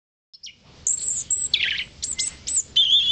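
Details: A European robin sings at Blists Hill: a quick run of high, thin phrases of sweet whistles and tinkling trills tumbling up and down in short bursts, with a faint low hum behind.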